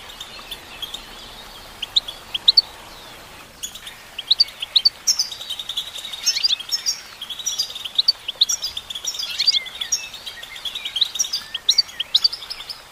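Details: Female goldfinch singing a long, sustained twittering song of quick, bright chirps and trills, quieter at the start and then nearly continuous with scattered sharp accents.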